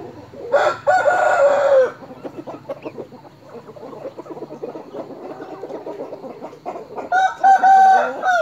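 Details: Fighting roosters raised in a Thai rubber plantation, crowing in the morning. A hoarse, strained crow lasting about a second, then a stretch of low clucking and rustling, then another harsh drawn-out crow.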